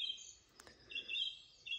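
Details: Song thrush (Turdus philomelos) singing bright, high phrases in short bursts with brief pauses from a treetop at early morning sunrise in Yarner Wood, east Dartmoor, over quiet woodland background with a single soft click.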